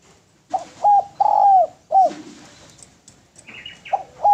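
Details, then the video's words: Derkuku dove in full voice, used as a training recording for other birds: short clear cooing notes, some drawn out, with a brief higher chirping phrase near the end. "SUARA DERKUKU GACOR SUARA MERDU BERSIH MEWAH"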